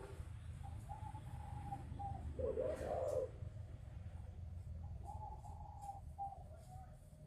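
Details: Young spotted dove whose voice is just breaking, kept at a bird farm in Ba Vi, Hanoi, Vietnam. It gives soft, hoarse coos in short phrases, with one louder burst midway, over a steady low rumbling background.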